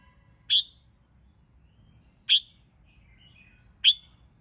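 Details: Red-whiskered bulbul in singing-competition training: three sharp, loud clipped notes spaced about one and a half seconds apart, with faint soft whistles between the last two.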